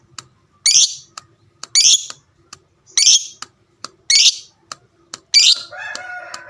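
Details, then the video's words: Fighter lovebird kept as a pet, calling in its ngekek style to make other lovebirds reply: harsh, high squawks roughly once a second with faint clicks between them, ending in a rougher, longer call. "burung lovebird fighter ngekek panjang suaranya sadis dengar sebentar langsung nyaut"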